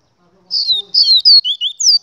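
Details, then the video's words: A double-collared seedeater gives a rapid string of sharp, high whistled notes, some falling and some rising, packed closely in a phrase of about one and a half seconds. "Papa Capim Gladiador"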